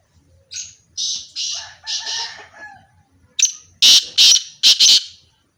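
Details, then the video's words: Calls from a pair of black francolins: a run of four rasping, buzzy notes with a fainter lower tone, then after a short gap a sharp note and four loud, harsh, grating bursts. "teetar black teetar irani teetar pair sound of teetar"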